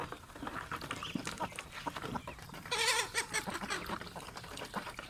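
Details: Pet domestic geese kept with ducks, giving a loud harmonic honk near the middle, with scattered softer nasal calls and rustling, clicking noises around it.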